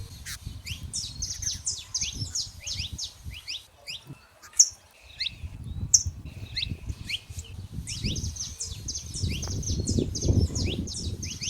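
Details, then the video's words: Wild saffron finches singing freely in nature: high, bright chirps and quick upward-sweeping notes in loose runs from several birds, over a steady low rumble of wind or distant traffic. "show dos canário da terra livre na natureza"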